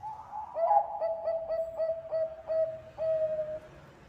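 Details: Bangkok-type zebra dove singing steadily as a lure: one short opening coo, then a string of quick, evenly spaced mellow coos, ending in a longer drawn-out hoo, all low and soft.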